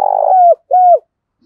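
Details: Spotted dove decoy cooing daily against a rival: a rough, purring coo sliding into a steady hollow tone, then one clean, falling coo.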